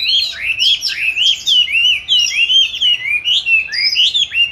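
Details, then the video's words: Caged oriental magpie-robin in song training, recorded 22 March 2021; loud, continuous warbling of rising and falling whistled phrases, each slurred note run closely into the next. "con than chuyền nuôi 29-7-2020(clip quay 22-3-2021) treo chỗ lý tưởng luyện hót"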